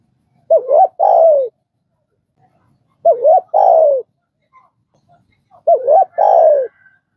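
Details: Spotted dove, in a recording used to train a newly caught dove to start cooing, gives three cooing phrases about every 2.7 seconds: a quick wavering double note, then a long, loud coo that slides downward. Quiet background otherwise.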